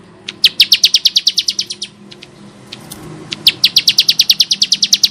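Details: Bar-winged prinia in harsh training song: a burst of quick, sharp, high notes slowing and fading, a brief gap with a few scattered ticks, then another rapid run of loud clipped notes.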